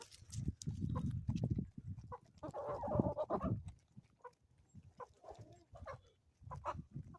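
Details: Morning chickens on an Ozarks homestead clucking in a dense cluster, with overlapping mid-pitched notes and steady low farmyard rumble, then quieter scattered clucks.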